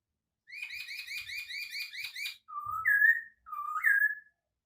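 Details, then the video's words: White-crested laughingthrush, known locally as Poksay Hongkong, giving a distinctive song: a run of quick repeated chirping notes, then two loud rising whistles with an upward slur. "kicauan unik Burung Poksay Hongkong"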